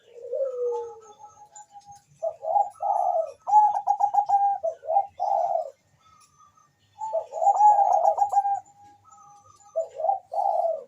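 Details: Bangkok-type zebra dove calling very fast and answered by a rival, used as a lure: a low falling coo, then bursts of rapid stuttering trilled coos in two long phrases with short pauses, plus a faint high chirp.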